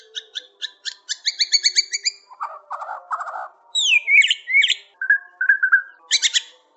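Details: White-rumped shama in lively full song: rapid runs of high chirpy notes, then lower rattling phrases, sweeping down-slurred whistles and short repeated whistled notes, varied and loud throughout.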